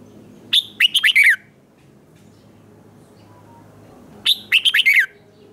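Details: Red-whiskered bulbul singing in competition style: two matching short phrases of bright, falling whistled notes about four seconds apart, quiet between them apart from faint background noise.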